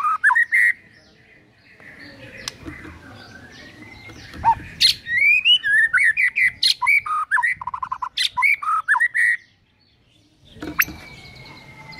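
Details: White-rumped shama morning lure song with imitated phrases: a short whistle, a long quiet stretch, then a fast varied burst of rising whistles and chattering notes before silence.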